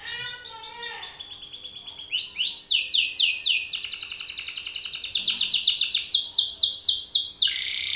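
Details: Belgian canary male singing loudly at a rival male, used as training song: fast, continuous rolling trills of high, sharp notes shifting through several tours, each trill a rapid buzzy repetition, with no other sounds.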